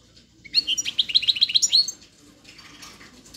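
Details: A European goldfinch sings a quick, liquid run of high twittering notes, about a dozen rapid chirps over one and a half seconds, with a faint hum in the background and softer twitters afterward.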